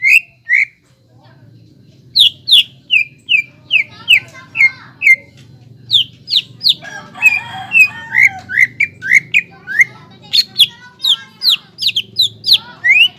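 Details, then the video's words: Greater green leafbird singing hard as a lure to stir young leafbirds into song: a long, steady series of clear, downslurred whistles, several each second, with a brief warbled jumble midway and a soft low rumble in the background. "PANCINGAN CUCAK IJO GACOR INI MAMPU MENAIKAN EMOSI IJO BAHAN AGAR BUNYI GACOR"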